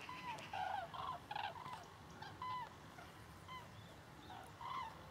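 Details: Thousands of Grus grus flying south over Berry in Cher, France: a migrating flock gives loud, rolling trumpet calls, many birds calling at once in irregular overlapping bursts, with a faint background hiss.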